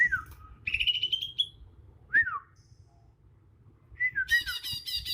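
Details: Young Bornean green magpie in the wild, natural song without mimicry: a falling slurred whistle, a rising drawn-out whistle, a single downslurred note, then wavering notes topped by a harsh buzzy burst.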